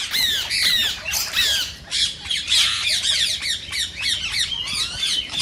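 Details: Green Indian ringneck parakeet calls to encourage other parakeets to sing and mate: loud, harsh screeches in quick bursts with short gaps, shrill and slurred downward, continuing steadily throughout.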